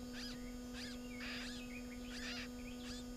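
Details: Garden warbler filmed at its nest during the breeding season in June: short, sharp broadband chirps repeated about twice per second over a steady electrical hum.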